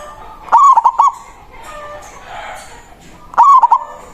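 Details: Local zebra dove with a strong voice, calling a rival as a lure for wild doves: two crisp stuttering cooed phrases, each a rapid run of clipped notes, roughly three seconds apart.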